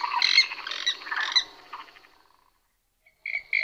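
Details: Overlapping purple swamphen calls from several pairs: harsh, nasal, harmonic squawks that fade into silence, then two loud abrupt squawks at the close.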